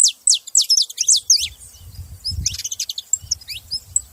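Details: A group of saffron finches chattering: rapid high descending chirps crowd the opening, then scattered twittering notes continue over a soft low rumble.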